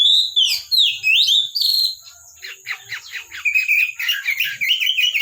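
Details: Oriental magpie-robin kept in a collection singing actively: looping swept whistles for two seconds, then a quick scratchy series of short buzzy notes ending in brighter trilled whistles, with a faint high whine.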